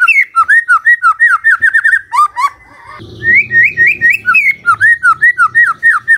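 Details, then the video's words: Magpie-robin singing in the morning to provoke a quiet bird into replying: continuous rhythmic whistled notes, each a swooping slur, repeated in quick succession with a brief break midway. A soft low hum sits underneath. "Pancingan PAGI PAGI AGAR MURAI GACOR❗ murai diam pasti ikut NYAUT❗❗"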